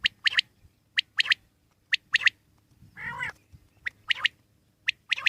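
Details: Wild common quail steadily repeating a sharp note followed by a quick pair, about once a second, interrupted by one harsh nasal call midway.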